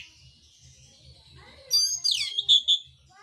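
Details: Mintal-type oriental magpie-robin in fighting song. A thin high whine and low hum run underneath, then a burst of strident, harsh sweeping notes and two sharp whistles.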